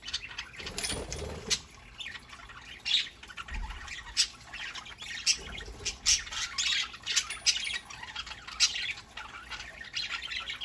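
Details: Pet budgerigars at home on a Saturday morning, a group of several birds: dense, scratchy chattering with squeaky chirps and short squawks in overlapping bursts, plus some low thumps and a faint steady high whine behind.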